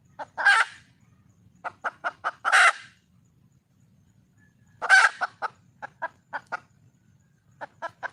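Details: A female red junglefowl calls for a male. Three loud, grating squawks are spaced through the clip, each joined to short runs of crisp, evenly spaced clucks.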